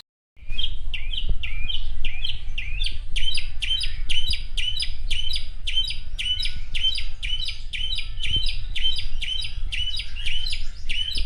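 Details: Asian pied starling sings energetically in the morning, repeating sharp rising chirps about twice per second without pause, over a steady low rumble of background noise.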